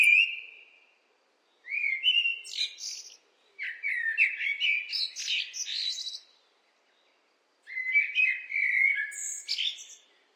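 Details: A blackbird delivers four mellow, flute-like phrases, each breaking into a shrill chattering tail of high notes, with brief silent gaps between them.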